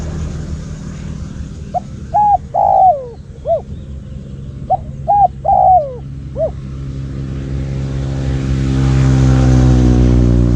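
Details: Loud cooing from a decoy spotted dove luring wild doves: two phrases of short coos and a falling drawn croon, closing with single notes, while a rising engine-like drone builds over the final seconds.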